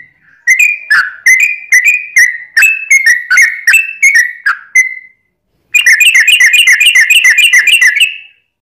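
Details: Yellow-vented bulbul, long 'ropel' song used as a lure: evenly spaced bubbly whistles, a silent gap, then a rapid rolling trill of closely packed notes.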